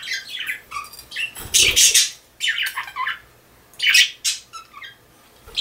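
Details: Pet budgerigar kept at home, giving bursts of harsh, scratchy squawks and chattering chirps in quick clusters, some notes sliding down, with short pauses between busy bouts.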